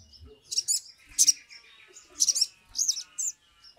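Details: Sumatran leafbird used as a lure to make birds sing; a series of short, high, scratchy bursts and quick looping whistles, spaced irregularly about half a second apart.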